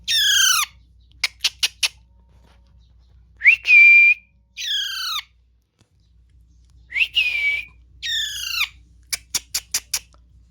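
A parrot gives harsh, down-slurred squawks, rapid clicking bursts and a couple of long bright whistles, in uneven phrases over ten seconds.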